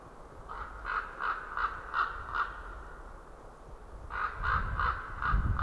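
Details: White-tailed eagles wearing rings call from a tree at a winter feeding ground in Estonia: two bursts of quick yelping notes separated by a pause, over a rough, rumbling background.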